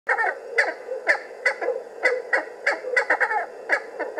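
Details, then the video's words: Cheer pheasant calling as it comes out of cover: a rapid series of harsh, clucking notes, several per second, some doubled, with a steady hum in the background. "Calling cheer pheasant coming out of cover"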